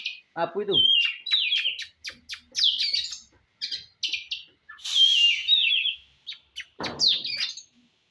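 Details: Oriental magpie-robin song for provoking a contest bird into fighting form. Loud, varied phrases of whistled and buzzy notes, some rising and falling, come in bursts with short pauses. Two harsh, low rasping bursts are also heard.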